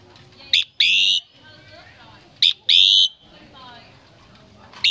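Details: Common myna in Vietnam, recorded at Tết 2018, gives a brief sharp note, then a longer harsh, rasping squawk, the pair repeating about every two and a half seconds over a faint background murmur.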